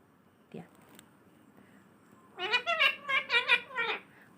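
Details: Assamese parrot talking in a cute voice: a faint click and tap, then a rapid run of about seven harmonic, speech-like syllables in quick succession before falling quiet.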